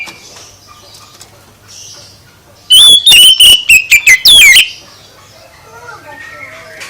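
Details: Oriental magpie-robin singing to provoke other birds into responding. Quiet faint chirping gives way to a loud two-second sequence of clear whistles, held and downslurred, before soft background notes resume.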